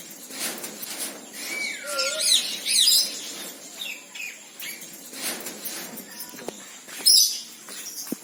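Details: Red-breasted parakeet, also called moustached parakeet: harsh, broadband screeching bursts spaced irregularly, mixed with a few short, bending whistled notes and what sounds like wing flapping.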